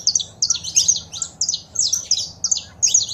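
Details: Saffron finch female calling and male singing, used to encourage a caged bird: rhythmic groups of high, sharp chirps, several notes per burst, repeated about twice a second, faint low hum in the background.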